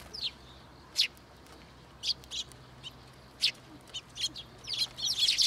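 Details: Sparrows arriving early in the morning at a shrine to be fed, 18 October 2022; short sharp chirps scattered irregularly, a busier cluster at the end, over a soft steady background hum.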